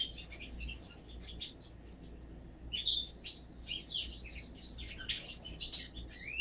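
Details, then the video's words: A siskin × canary hybrid sings a fast, jumbled run of high twitters, trills and rising whistled notes, with a low hum underneath. "Siskin/Canary Hybrid"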